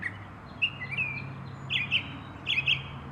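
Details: Northern mockingbird in North America singing short, varied chirps and whistled phrases, several per second in bursts, over a steady low hum. This species mimics other birds, alarms and mechanical sounds.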